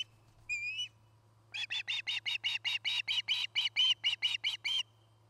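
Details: At a Charlo, Montana nest, an osprey of the resident pair, 8 September 2018: one slurred whistled note, a pause, then a fast, steady burst of about seventeen piercing chirps; low hum throughout.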